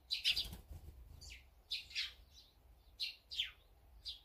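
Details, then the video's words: A group of eating birds, listed as azure-winged magpies, sparrows, tits and brown-eared bulbuls, makes a loud opening chirp cluster followed by separate falling tweets about every half second. "물까치,참새,박새,직박구리,먹방,새먹방, 새소리 힐링방송"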